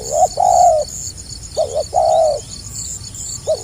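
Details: Low, mellow spotted dove coos sung gagap rapat selang nguku fashion: a stuttered opening note, a long drooping coo, then the pattern again, over constant buzzing crickets.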